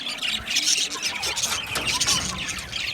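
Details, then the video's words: Budgerigars chattering as a flock, offered as comfort for lonely budgies: dense, scratchy squawks and short chirps overlapping rapidly, with brief squeals rising above the steady busy chatter throughout. "Budgie singing and chirping sounds"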